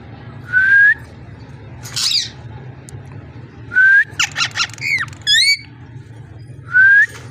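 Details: Ringneck parrot voice: a clear rising whistle repeated three times, a broad harsh squawk, and a brief burst of rapid choppy notes with curved calls between.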